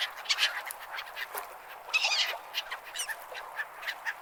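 A flock of gulls gives harsh, overlapping squawks and mewing cries, several every second with no steady rhythm.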